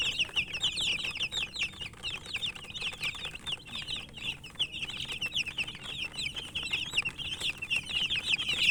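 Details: Feeding chicken chicks give a steady stream of shrill, downward-slurred peeps, many birds at once, with a constant busy chatter and soft clicking.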